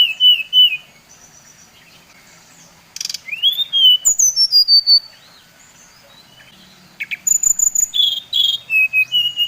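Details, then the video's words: Bali brown-chested jungle flycatcher singing as a provoking lure: short whistled notes, then a rising sweep into a fast descending cascade of clear tones, a pause, and another rapid series of high whistles. "Suara SRDC Bali Paling di sukai srdc lain | Pancingan Srdc bikin srdc lain naik emosi"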